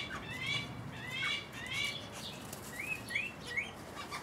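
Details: Male Guinea turaco feeding an offspring about three weeks old, recorded 11 August 2019 with a Panasonic HDC-SD60; soft, high upslurred squeaks, several spaced notes rising in pitch over a quiet hiss.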